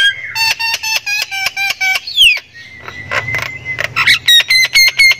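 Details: Thai-type Javan myna, described as a very active singer that can also give laughing-like calls, sings loudly and rapidly: harsh repeated chattering notes about twice a second, a descending whistle, then a long steady whistle.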